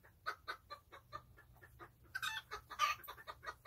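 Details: Domestic chickens (chooks) enjoying their day, in a relaxing setting: a run of short, soft clucks about four per second, then louder, harsher clucking bursts from about two seconds on.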